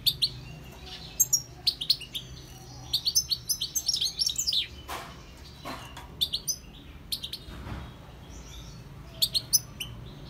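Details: Goldfinch song in short scattered bursts of high, tinkling chirps and twittering notes separated by brief pauses, with a couple of soft clicks and quiet background noise.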